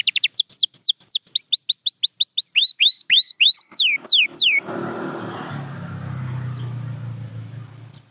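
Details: A champion canary sings quick repeated falling notes, then looping rising phrases and downslurs. After the song ends, a low rumbling noise follows.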